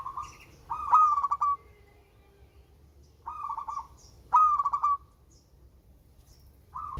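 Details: Melodious local zebra dove, used to prompt reluctant birds. Repeated pulsed, stuttering coo phrases at a steady pitch, some sharp and bright, others softer and rolling, with quiet pauses between.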